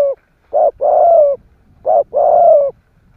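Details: ["Spotted dove giving 'kích bổi' coos to stir other doves into calling: two phrases, each a short hoarse note then a drawn-out, wavering, gently falling coo, with a faint low rumble beneath."]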